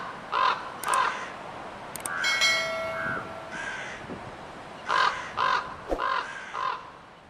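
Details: Harsh crow caws come in short clusters, paired near the start and in a burst of three or four toward the end, with a ringing metallic tone and some sharp clicks in between.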